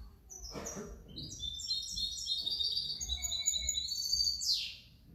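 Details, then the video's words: European goldfinch hybrid (mixto), 2019–2020, singing a fast, continuous twittering song of high, clipped notes and trills, ending with a sharp downward sweep; faint low rumble underneath. "otro mi mixto de jilguero 2019 2020"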